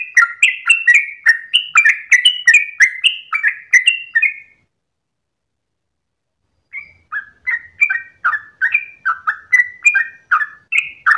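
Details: Sooty-headed bulbul singing its long, rapid ropel-style song at dawn: quick bright chirped notes, about three a second, each dropping slightly in pitch, then a two-second pause before the fast run resumes; no other sounds.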